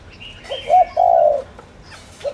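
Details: A single phrase from a decoy spotted dove luring wild doves: soft short coos leading into a long, smooth, level coo, with a faint high bird call overhead.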